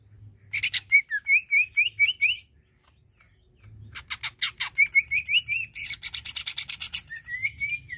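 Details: Greater green leafbird singing to provoke another bird's anger, mixing rasping buzzy bursts with short rising whistled phrases repeated in steps, then a long fast series of harsh repeated notes and a final slurred whistle.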